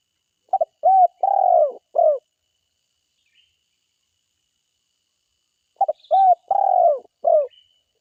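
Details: Spotted dove, a forest-type caller, repeating its four-part phrase twice with about four seconds of silence between: a clipped double note, a rounded coo, a long burry coo and a final short coo.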